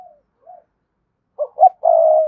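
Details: Spotted dove cooing toward a rival: faint soft notes, a silence, then two clipped hoots and a long, steady, rough-edged coo.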